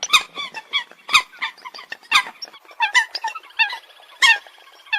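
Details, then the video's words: Coot giving short, abrupt nasal calls in quick irregular succession, each note sharp-edged with strong harmonics, some louder notes standing out above softer ones. "Tiếng Chim sâm cầm"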